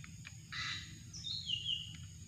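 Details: Drongo calling during bird luring: a harsh, buzzy burst followed by a thin, high whistle that slides gently downward and fades, over a steady low rumble of background noise.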